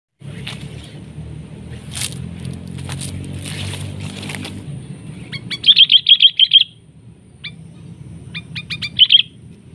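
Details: Sooty-headed bulbul fighting a decoy bird during trapping, grappling like an eagle in a trading of attacks. Wing-flapping and rustling first, then a rapid run of sharp chirps and a short later burst.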